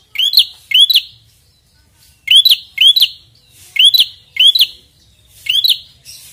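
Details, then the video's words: Persistent rival-challenging song of a red-headed prinia. Emphatic upward-sweeping chirps come in twos, each bearing a scratchy high edge, repeated roughly every second with short silences between. "prenjak gacor ngotot narung lawan"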